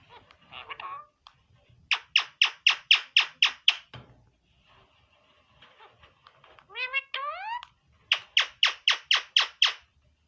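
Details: Green parrot indoors, said to be talking: a short grating phrase, then a run of seven sharp raspy squawks at steady pace, a burst of rising harmonic whistled syllables, and another even series of seven squawks.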